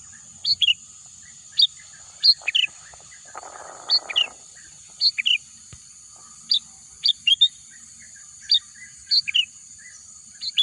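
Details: Birds calling in green countryside: crisp, downward-slurred double chirps repeat at irregular intervals of under a second, with a brief rustling noise early on. A steady high hum continues throughout.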